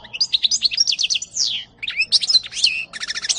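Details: Nonstop European goldfinch song recorded in 2018, packed with rapid liquid twitters, slurred whistles and short trilled runs, with hardly a pause.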